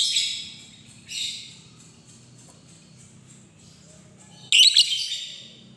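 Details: Lovebird lure calls meant to provoke a rival into answering: harsh, noisy screeches high in pitch, a short burst at the start, another near one second, and a louder cluster late in the clip, with quiet gaps between.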